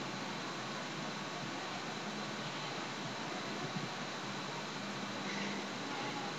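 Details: Constant broadband hiss, like machinery or a fan, continues throughout without any animal call.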